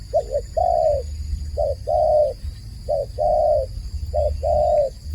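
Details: Calling dove giving four phrases, each a short double note then a longer steady coo, spaced about every 1.3 seconds, loud and clear above a continuous thin high whine and low hum.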